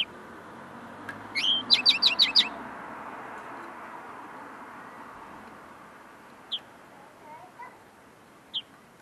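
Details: Linnet, tame and singing close by while still polishing its notes: a quick burst of five or six high trilled chirps, then a long pause broken by two isolated sharp notes.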